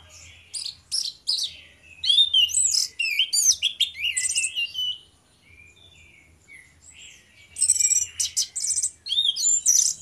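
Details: Two orange-headed thrushes singing loudly, ngeplong style, as a lure to prompt singing. Phrases of sharp high whistles and buzzy twists come in bursts several seconds long, separated by a quieter pause, over a faint low hum.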